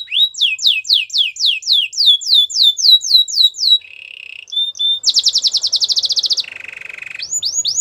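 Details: Canary in full song: a long run of repeated rising-falling chirps about three per second, a short low buzz, a fast rattling roll, a lower buzzy trill, then bright rising notes again.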